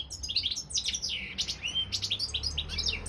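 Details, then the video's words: European goldfinch (Carduelis carduelis balcanica) entered in a world goldfinch song championship held online: dense, unbroken tinkling twitter of quick rising and falling notes, lively and bubbling throughout. "Pesma štiglića 002/23 World Championship in Goldfinch Song"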